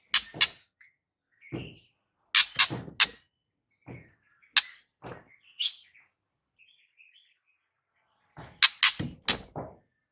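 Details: White-rumped shama master song meant to prompt a silent bird: a varied string of harsh, clicking bursts mixed with short chirps and brief whistles, coming in irregular clusters with gaps between them.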